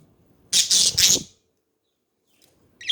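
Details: Pet budgerigar giving a loud, harsh, broadband screech in three quick pulses, followed by silence and a brief squawk starting at the very end.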